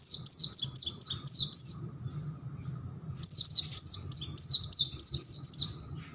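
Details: Oriental white-eye, caged bustomi or buxto type, with an unusual sound: two runs of rapid high, thin twittering notes a second apart, each lasting about two seconds, over a low background hum.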